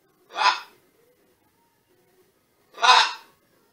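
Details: A pet green-winged macaw (Ara chloropterus) living in Canada gives two harsh, raspy squawks about two and a half seconds apart, each lasting about half a second, with quiet between them.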